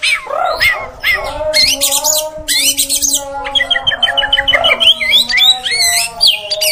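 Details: Female oriental magpie-robin calling to make males agitated: harsh bursts and curving whistles, then a fast even string of repeated chips, over a constant low droning tone.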